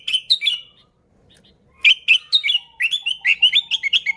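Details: Sooty-headed bulbul singing, a recording meant to lure bulbuls: a brief warbled phrase, a pause, then a lively string of fast, clear, up-and-down chirping notes.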